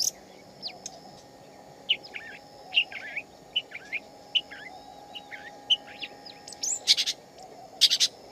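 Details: Singing shama in the wild: a slow series of separate short whistled slurs, each a second or so apart, ending in loud, harsh, rasping bursts, with faint low hum throughout.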